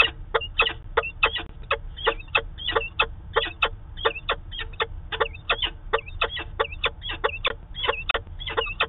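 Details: Harsh clipped calls from a Peregrine falcon pair meeting at the nest site in Manchester, NH, on 2 September 2018, live webcam recording: short rasping notes repeated steadily about every half second with faint background hiss.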